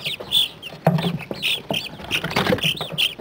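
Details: Chicks at day 30 in an indoor brooder, mixed breeds including Buff Orpingtons and New Hampshire Reds: loud, clear peeps, some short and flat, others bending downward, interspersed with sharp taps and rustling litter.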